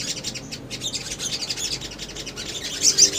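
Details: Lure recording of little spiderhunter song meant to draw replies from other birds: a busy stream of thin, high, scratchy chirps, with a brighter burst of sharp notes near the end over soft low background noise.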